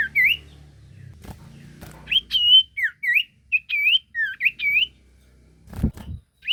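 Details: Chattering sirtu song meant to draw a reply from any sirtu: rapid bursts of short rising and falling whistles, with a low rumble and a thump near the end.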